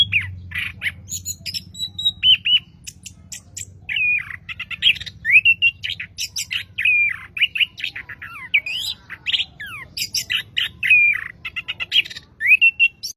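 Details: Orange-headed thrush kept as a hobby songbird, delivering a long, continuous song of loud, varied phrases: sharp chirps, buzzy rasps and repeated slurred whistles in quick succession, with faint low hum beneath.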